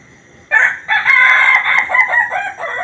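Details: A "laughing" chicken rooster gives a loud, harsh crow broken into rapid, stuttering syllables like cackling laughter, lasting over two seconds after a brief opening note.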